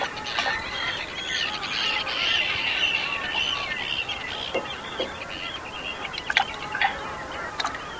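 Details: Chorus of long-tailed ducks resting with common eiders on the foggy Bothnian Sea near Räyhät, Finland, 30 April 2010: many overlapping nasal, musical calls blending into a continuous babble with occasional sharp louder notes.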